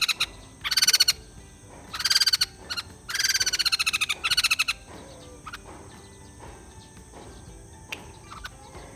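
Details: Bought white-crested laughingthrush, described as lazy to sing. It gives three short bursts of fast, raspy, pulsed chatter, the last one the longest. Scattered faint clicks and ticks follow in a quiet background.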